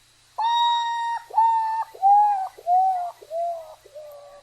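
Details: Common Potoo, a nocturnal Central and South American bird, gives its haunting call: six mournful whistled notes stepping steadily down in pitch, each about half a second long, in a slow, melancholy fall.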